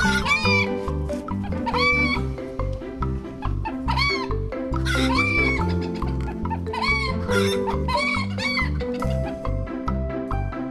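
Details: Chicken on a farm giving short arched clucks about every one to two seconds, several in a loose series, over steady background music playing throughout.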